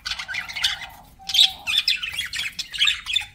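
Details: Pet budgies warble in buzzy, grating chirps, with a short clear whistled note in the middle followed by louder bursts of scratchy chattering.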